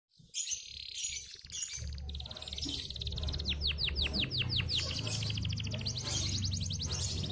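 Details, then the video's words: A local canary sings bright, high trills with a run of about eight quick downward-slurred whistles imitating a prinia, over a steady low hum. "Kenari lokal isian prenjak"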